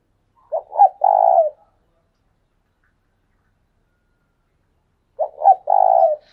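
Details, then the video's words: Decoy spotted dove giving 'thúc sung' coos: two phrases about five seconds apart, each two quick low hoots followed by a drawn-out purring coo that dips at its end, with no other sounds. "Chim cu mồi thúc sung"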